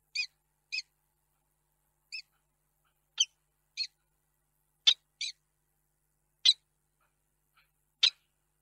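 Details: Peregrine falcon male in Reda, Poland, on 2 March 2022, wailing for a missing female; clear short harmonic notes, single or doubled, given irregularly roughly every second or two, some louder and harsher, otherwise silence.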